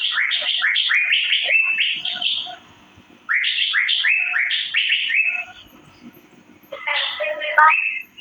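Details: Asian fairy-bluebird chirping, a master recording: two fast runs of rising chirps separated by silence, followed by a rougher, jumbled burst of notes.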